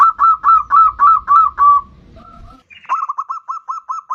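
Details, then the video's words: Zebra dove of the bodronoyo type, played as a lure for other birds: six loud, drawn coos, a soft wavering pause, then a quick run of short clipped cooing notes. "Pancingan perkutut bodronoyo gacor super ampuh untuk pancingan"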